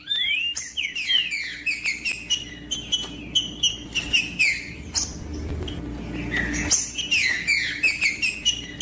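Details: Green-winged saltator song for warming up other birds: an opening downslurred whistle, then a rapid, regular train of short whistled notes and clicks, later a cluster of falling whistles, over a faint hum.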